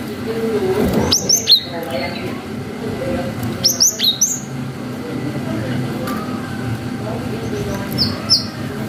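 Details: Cinereous tit in energetic 'wucit' song, a lure meant to stir young birds to reply; two short runs of three to four high piercing whistles, a softer pair near the end, against a faint rumbling background.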